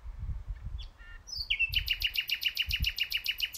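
A nightingale sings a few thin, varied whistles, then a fast, rich trill of about fifteen repeated notes. A low rumble runs underneath.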